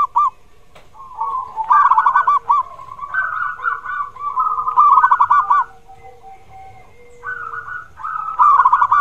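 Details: Zebra dove song meant to stimulate a reluctant bird, with repeated bursts of fast, rolling, bubbly coos separated by softer sustained humming tones.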